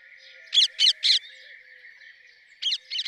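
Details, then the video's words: Rose-ringed parakeet uttering three rapid, piercing, grating screeches in a row, a pause, then two more similar harsh notes, with a continuous high buzzing drone behind. "Rose ringed parakeet Song ! Rose ringed parakeet Call ! Rose ringed parakeet Sounds !"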